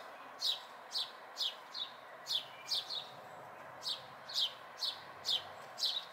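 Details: House sparrow fledglings, local birds, May 2020: a dozen short, bright chirps that each slide downward, given about twice a second at an uneven pace, over a soft steady background hiss.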